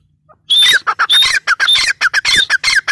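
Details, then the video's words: Grey francolin, called teetar, gives a loud series of harsh squawky notes after a brief quiet start, rhythmic phrases each opening with a ringing whistled tone, repeated several times per second. "Teetar sound | Partridge sound | gray francolin teetar voice"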